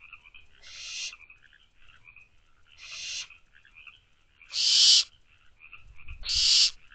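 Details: Barn owl owlets in a nest box at night, just after midnight on 24 May 2023, give harsh hissing screeches. Four bursts come roughly every 1.8 seconds, the last two louder, with faint high chirps throughout.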